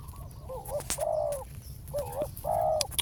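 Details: Spotted dove used as a decoy, calling to draw a wild bird down to the ground. It gives short, hoarse, low coos in quick succession, with a dull wavering note between them, over a steady low rumble and sharp clicks.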